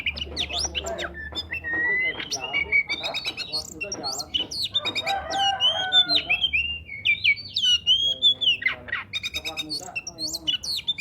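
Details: Oriental magpie-robin singing, meant to prompt quiet magpie-robins to sing: long sweet whistled slurs and trills alternating with harsh chattering and clicks, loud and varied over eleven seconds.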